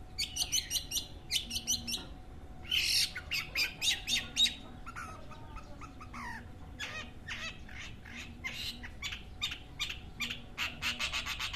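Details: Long-tailed shrike singing, part of a local bird-keeping pastime: a varied, fast run of sharp high chirps, rapid stuttering trills and harsh squawky notes in quick bursts.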